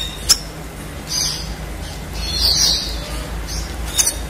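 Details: Red siskin singing in a long rolling style used as tutor material for contest birds; short high twittering bursts near 1, 2.5 and 4 seconds with quiet gaps between, a sharp click at the start, and steady low background hum.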